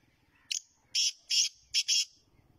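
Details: Black francolin from Pakistan calling: a short phrase of five harsh, high, grating notes in under two seconds, a brief opening note then paired longer notes, in quiet surroundings.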